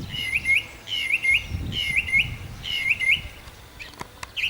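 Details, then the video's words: Nightingale song from Nosivka, Ukraine, recorded 1 June 2014: four repeated phrases roughly a second apart, each a rattling buzz ending in paired upward-flicking whistles, then a short quiet gap with brief clicks and a final whistle. "Nightingale / Соловей"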